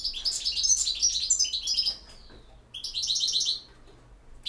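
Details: Campero song from a European goldfinch. Loud, rolling twitters run into a descending glide, and after a pause comes a rapid phrase of repeated chirps. Steady hum in the background.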